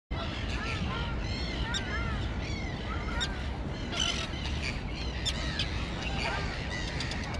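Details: Young terns, recently fledged, on a grassy island colony: many harsh, rising-and-falling calls overlapping constantly, over a steady low rumble of wind.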